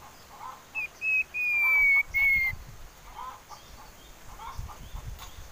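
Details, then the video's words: Common iora song offered as a bait call for singing birds: a few short whistles leading into long, level, slightly falling whistled notes, followed by a faint murmur of background noise. "Siulan Merdu Cipoh Sirtu"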